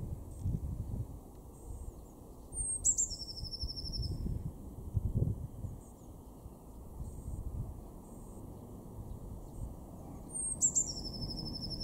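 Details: A blue tit in a garden in Weener, East Frisia, northwest Germany, in February 2024, gives two thin, high calls about eight seconds apart, each a sharp note falling into a quick buzzy churr, over low rumbling wind or traffic.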